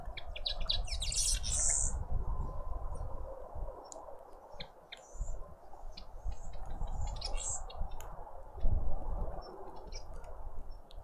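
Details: Garden birds at a feeder in a suburban garden in Pretoria, South Africa: bursts of high, thin chirps and quick twittering notes, with a dense buzzy flurry near the start, scattered sharp ticks after it, and steady low background rumble.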